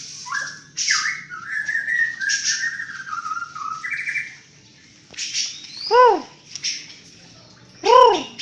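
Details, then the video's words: White-rumped shama of the Banten type singing strange sounds: a run of varied, slurred whistles, then a pause, then two loud, harsh, arched rising-falling squawks rich in overtones about two seconds apart, mixed with high chatter. "MURAI BANTEN GILA NEMBAK NEMBAK SUARA ANEH"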